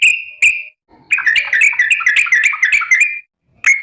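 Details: A sooty-headed bulbul calling to companions: two chirps with whistled tails, then a long, fast, jumbled chatter of bubbling slurred notes lasting about two seconds, ending with one more chirp.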